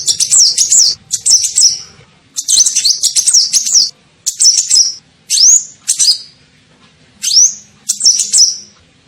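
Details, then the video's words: Kolibri ninja sunbird lure call meant to draw birds in: repeated bursts of thin, high twittering, some ending in sharp upward-sweeping whistles, with brief silences between phrases. "SUARA PIKAT KOLIBRI NINJA"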